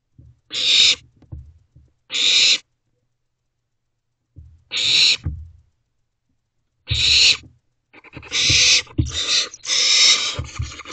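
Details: Owlets in a nest box at 3:21 am on 28 May 2023 give loud raspy hisses, sparse at first with long gaps, then a quick overlapping series near the end, mixed with low bumping sounds.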